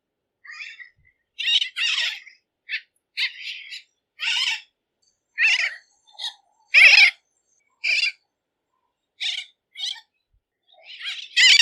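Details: Bridled tern voicing scattered short, harsh, clipped calls at irregular intervals over about twelve seconds, some soft and some loud, with silence between.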